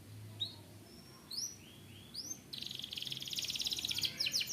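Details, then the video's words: Canary with sparse high whistled upslurs followed by an extended fast buzzing trill that gets louder toward the close, with a quiet low hum behind. "Does your canary have difficulty singing? play this now"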